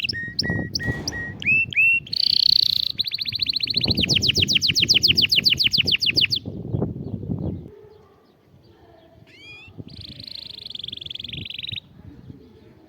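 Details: Canary song offered to rouse a silent canary: whistled swoops, a buzzy held note, a long fast rolling trill, then quieter upswept notes and a softer trill fading toward the end.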